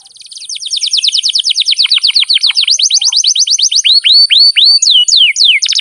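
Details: Canary song from a long training recording for lazy young birds: a quick, regular trill of repeated downslurred notes, about four a second, changing to slower, looping whistles that rise and fall, then a closing buzz.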